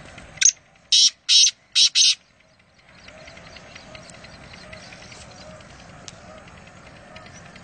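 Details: Black francolin calling, a loud harsh phrase of five rasping bursts in rapid succession at the start, followed by quiet background hiss with faint distant chirps.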